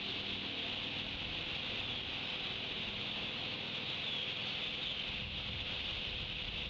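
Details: Steady hiss fills the recording, with no distinct animal calls.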